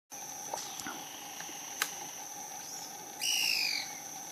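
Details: Yungas tody-tyrant in bamboo in a Yungas valley, San Juan del Oro, far southern Peru; a single clear, slightly falling whistled note near the end after a few faint ticks, over steady high insect drone.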